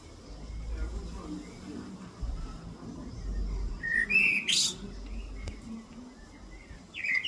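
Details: A chatty bird that the owner believes is possibly an Alpine chough, back and chirping, gives a few brief, high whistled chirps, with a pair near the middle and one more at the end, over a steady low rumble of wind.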